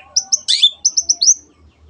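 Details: Cendet, the long-tailed shrike, singing a lively 'gacor' tutor phrase for training other birds: a few short high whistles, a dense harsh burst, then four quick rising whistled notes in a row.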